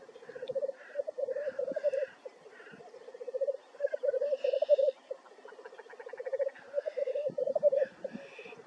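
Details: Black grouse in North Wales on 9 May 2024 give a low, dove-like bubbling in long rolling phrases, broken by sharp hissing sneezes; other birds call faintly behind.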